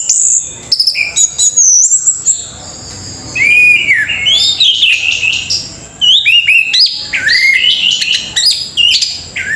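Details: Orange-headed thrush in full song, rapid run of rich whistled phrases, rising and falling slurs and bright chattering notes, nearly continuous with brief gaps, loud and close.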